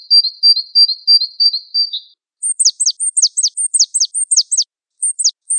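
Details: Gelatik Wingko masteran of a Java sparrow: an even high whistled series breaks into rapid downslurred chirps in pairs, a short gap, then two more chirps.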